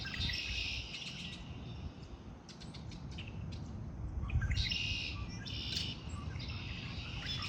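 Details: Springtime chorus of birds giving rapid, uneven high-pitched chirping phrases that come and go in clusters, with a constant low background rumble throughout.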